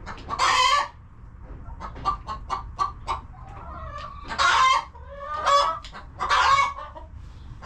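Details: Chickens eating and resting in their homestead coop: one loud squawk, a patter of quick clucks with a wavering murmur, then three more harsh squawks close together.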